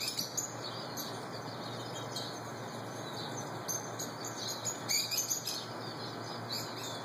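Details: Lovebirds eating peanuts in a backyard in Phoenix, giving sharp, high chirps in scattered bursts, busier near the end, over a steady hum of background noise.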